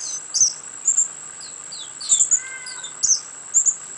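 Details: A young spotted sandpiper in a rehab flight cage gives thin, very high peeps in quick pairs, about twice a second, over a steady high insect-like whine and a faint lower whistle.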